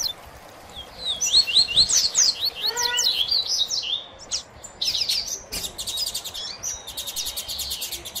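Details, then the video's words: Double-collared seedeater males of the Tui Tui Zel, Sil Sil and Mateiro song types in a song dispute over a female: high, fast sweeping whistled phrases and trilled buzzy notes, broken by short pauses, with low background hiss. "Disputa de Cantos por FÊMEA Tui Tui Zel x Sil Sil x Mateiro!!!"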